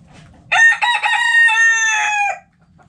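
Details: Backyard rooster in the coop: a loud crow with stuttered opening syllables, then a long, steady, tonal held note that fades out after about two seconds.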